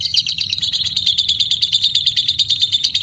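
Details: White-beaked lovebird pouring out a loud, continuous high trill, a rapid buzzy chatter sustained without a break for the full three seconds.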